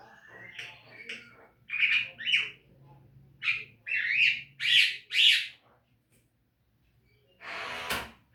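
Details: Caged-bird training song of a Javan myna: harsh squawks and chattering notes in quick runs, several loud rasping calls in a row, followed by a burst of broad noise at the end.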